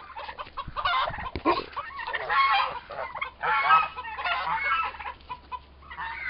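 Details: Two turkey toms, both about four months old, in an extended fight. Harsh overlapping squawks and grating cries, with a low steady hum beneath.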